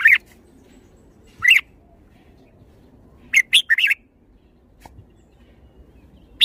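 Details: Red-whiskered bulbul repeating short bright whistled notes, then a quick burst of three or four warbling chirps, separated by quiet pauses with faint background hum.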